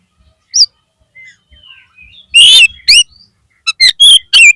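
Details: Oriental magpie-robin song meant to rouse a caged bird: thin soft whistles, then a loud buzzy rasp, followed by a rapid string of sharp, bright chipping notes.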